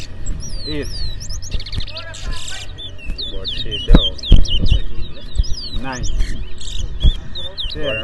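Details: Caged towa towa (Lesser Seed Finch) singing in a bird race in Berbice, Guyana, two birds competing: rapid high whistled slurs and sweeping notes in quick runs, over steady crowd talk, low rumble and background music.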